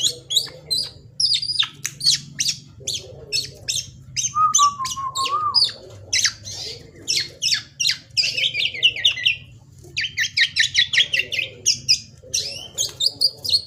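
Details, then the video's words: Varied song of a young black-naped oriole used as a lure: dense bursts of high chattering and squawking notes, rapid and uneven, with one brief lower whistle midway and a steady low background hum. "Suara kepodang emas anakan full fariasi sudah teler cocok utk pancingan"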